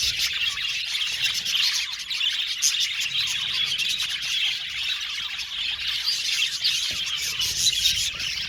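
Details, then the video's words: Many caged budgerigars in a colony aviary keep up a constant stream of chirps, twitters and short warbled phrases, densely layered and steady in loudness. "Budgies singing and chirping sound"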